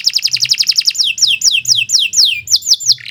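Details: Canary in long gacor song: quick repeated chirps accelerating into a steady series of loud downward-sweeping whistles, roughly five per second, closing on a brief low note.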